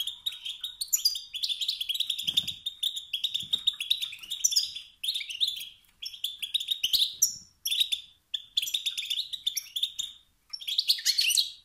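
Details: Wild male European goldfinch delivering long runs of 'sts-sts' and 'bt-bt' calls that set other males singing. Dense, rolling twitters and tinkling trills run almost nonstop, broken by a few short gaps, with soft low knocks.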